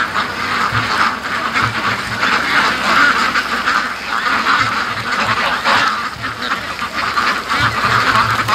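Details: Big flock of free-range ducks, including Muscovies, heading to the lake, heard from a high viewpoint; many overlapping quacks in uneven waves, with soft low thumps and a man laughing nearby.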